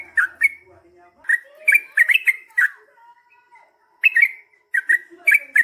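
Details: Yellow-vented bulbul singing its lively 'ropel panjang' phrases to coax replies: scattered bubbly chirp clusters, a quiet pause with a thin steady tone, then renewed rapid liquid bursts toward the end.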